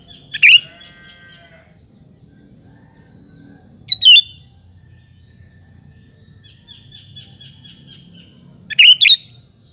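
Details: Sooty-headed bulbul in full song as a lure to make other bulbuls answer: three loud, bubbly whistled phrases spaced several seconds apart, with faint thin trills between them over a quiet low hum.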